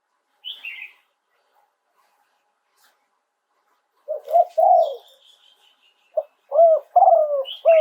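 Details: Spotted dove crowing live in Thailand in the 'two kuk' song style. A short high chirp comes first, then a pause. Bursts of low, rounded coos follow near the middle, with a thin drawn-out whistle. A faster run of repeated coos closes the passage.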